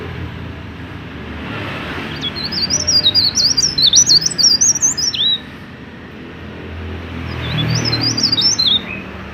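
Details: Mountain leaf warbler singing to trigger song in untrained birds of its kind: a high, hurried, zigzagging trill of whistled notes for about three seconds, followed after a gap by the opening of another phrase. Faint low hum.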